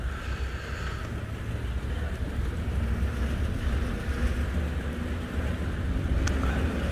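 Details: Steady low engine rumble from a safari vehicle at sunrise, with wind noise and no clear animal calls.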